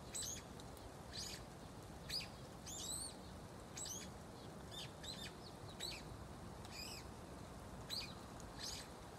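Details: A single brown-eared bulbul, probably very old, calling from inside an osmanthus tree it visits each autumn to early spring: sweet, chick-like, high thin notes, short rising and falling whistles repeated irregularly about every second against quiet background hiss.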